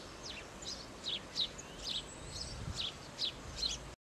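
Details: A firecrest at Hartlepool Headland in 2005 gives a quick run of very high, thin, needle-like notes, about two each second, over a soft background hiss.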